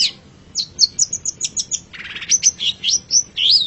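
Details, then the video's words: Long-tailed shrike, known locally as pentet or cendet, in a master recording for songbird training: a run of short high whistled and chirped notes, then a buzzy burst and varied rising and falling whistles. "Masteran Suara Pentet Cendet"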